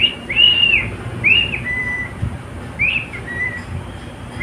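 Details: Pet cockatiel (male) whistles clear arched notes and a flat sustained tone, in two short phrases, with little other sound.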